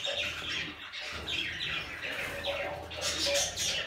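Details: Baby budgerigars chattering continuously in a busy mix of squawky, scratchy chirps and warbles that overlap throughout.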